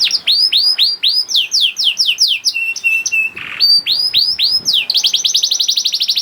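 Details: Young canary singing, used as a lure to get reluctant canaries singing: rapid falling whistled notes in quick series, a few flat sustained whistles, a short harsh burst, then a fast buzzy trill of repeated syllables.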